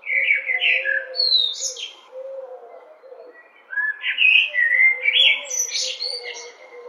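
A blackbird sings two rich, warbling phrases a couple of seconds apart, each sliding into higher, twittering notes, over a faint steady low hum.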